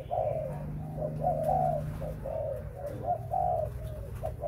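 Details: Breeding spotted dove cooing: short, mellow, slightly descending coo notes in uneven groups, a few louder hooting phrases standing out above a constant low hum.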